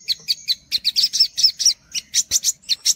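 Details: Short, lively olive-backed sunbird phrase: separate bright high chirps, some with a slurred twist, spaced about every fifth of a second, in a training recording for young birds.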